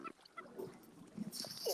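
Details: Royal albatrosses, recorded from a pelagic boat, give short, low, pig-like grunts in quick succession, possibly with faint chipping from Cape Petrels, and a hiss of sea and wind rising at the end.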